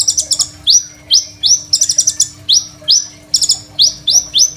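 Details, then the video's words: Crimson sunbird in vigorous varied song, used for training young sunbirds, recorded on a phone: clusters of rapid bright high ticks alternating with loud rising swept notes, fairly regular rhythm, faint constant hum underneath. "KOLIBRI NINJA GACOR FULL ISIAN SUPER MEWAH, 100% COCOK BUAT MASTERAN KONIN BAHAN"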